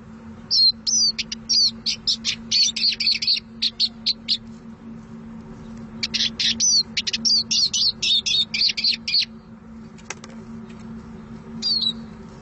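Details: Song of a Eurasian siskin, delivered in two long bursts of fast, high twittering and squeaky slurred notes, separated by a short pause and ending in a single chirp, steady low hum behind.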